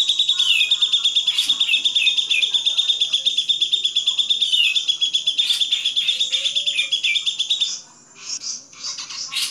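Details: Grey-cheeked bulbul singing for songbird training: shrill, buzzy chattering with fast repeated chirps and slurred falling notes, then a softer, broken ending with scattered sharp high notes.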